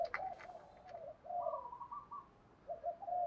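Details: Spotted dove used as a decoy bird, with a deep thunder-like voice, giving low soft coos in short groups, one rising slightly higher in the middle, in a quiet setting.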